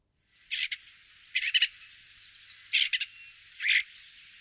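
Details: Common starling song from Wittlich, 2017: quiet, scratchy clusters of clicking, rattling notes in irregular groups, separated by brief pauses, over a faint steady hiss.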